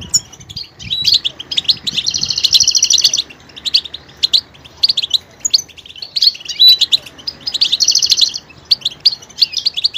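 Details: Varied goldfinch song: tinkling twitters leading into a sustained buzzy, rattling trill lasting about a second, then more chirps and a second buzzy trill later.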